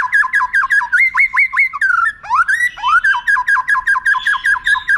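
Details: White-rumped shama song for tutoring contest birds: runs of fast clear downslurred notes, broken by a rising whistled sweep, then resuming the steady repeated series.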